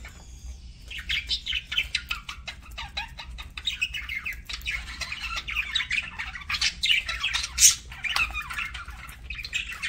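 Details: Pet parakeet while eating: continuous busy twittering and scratchy warbles begin after a brief quiet opening, with sharp clicks scattered between the notes.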